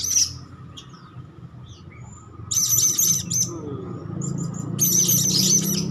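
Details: Hand-fed juvenile Blue-crowned Hanging Parrot in full voice. Separate bursts of rapid, shrill, buzzy chirps, each with four to six notes, are divided by brief thin squeaks. A low rumble grows toward the end.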